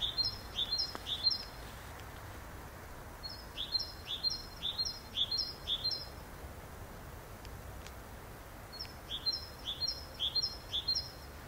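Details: Great tit delivering three clear strophes of its piercing, repeated two-note phrase, each a rapid chain of five or six units, separated by silent gaps, with a quiet background.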